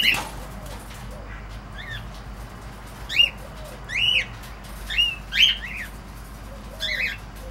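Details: Cockatiels producing sharp, arched chirps in a loose series, several loud squawks in the middle, fainter chatter and light background noise around them.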